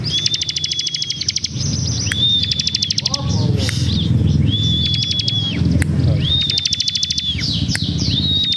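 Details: Lively Ciblek song built from level high whistles that bend down at the end, alternating with fast dry ticking trills; a few lower warbled notes and a constant low hum sit beneath.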